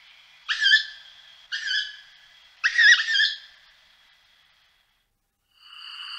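Tawny owl giving three harsh, wheezy screeches about a second apart, then a pause and a fainter, thinner sound at the end.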